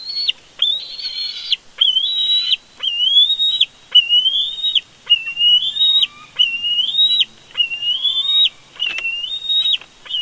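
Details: Bald eagles at a Big Bear nest during a family conflict, recorded by a live nest camera: a rapid run of high whistled notes, each rising then flattening, about one per second, with a few faint lower notes between.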